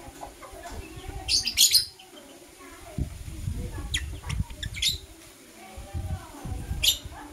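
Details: Blue opaline and parblue euwing opaline lovebirds in the morning give quick clusters of thin, piercing chirps over a steady low rumble of background noise, with a few isolated chirps scattered between.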